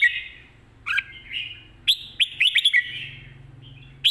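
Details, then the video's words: Red-whiskered bulbul, lively 'mae bot sap krajai' song: a few isolated sweet slurred notes, then a quick chattering cluster of sharp chirps, over a soft low background hum. "นกกรงหัวจุก ร้องมันส์เพลงแม่บทสับกระจาย"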